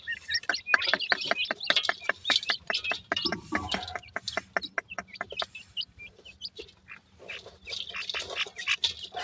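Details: Teetar (francolin) chicks make rapid series of sharp high peeps and chirps, dense at first, then sparser, mixed with clicking taps and a low background hum.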